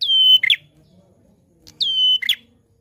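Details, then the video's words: Loud, vigorous prinia song: two phrases, each a sustained high whistle followed by a quick buzzy, chattering flourish, separated by a pause of over a second with faint low background murmur. "Suara Prenjak Klawu Gacor Lantang"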